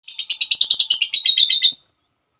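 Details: Female lovebird, a caged songbird, giving a long chattering song: a fast run of high, harsh twittering notes packed closely together for nearly two seconds, then silence.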